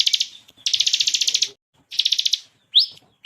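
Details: Ciblek kristal (bar-winged prinia) singing energetically in the varied 'ngebren tembakan' style, recorded as a tutor for competition birds. Rapid buzzy pulsed trills come in bursts, broken by silences, ending in a sharply rising slurred note.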